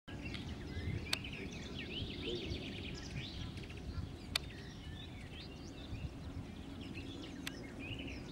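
A Linnet's quick, twittering song of chirps and short trills runs on without pause over a steady low rumble of wind, broken by a few sharp clicks.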